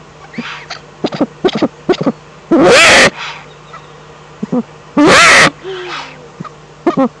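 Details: Eurasian eagle-owl, Eifel, April 2014: two long, loud, hoarse screeching calls about two and a half seconds apart, among scattered short clicks and brief softer tonal sounds.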